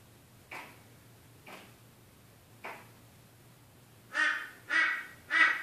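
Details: Crow attacking its reflection: three faint, widely spaced calls, then a closer run of three loud, raspy caws roughly half a second apart.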